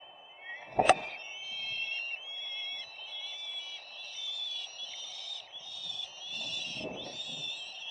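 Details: Peregrine falcons at their nest, filmed live on 4 May 2025; harsh, harmonic calls run almost continuously in overlapping bursts, with a sharp knock near the start and a brief low rumble toward the end.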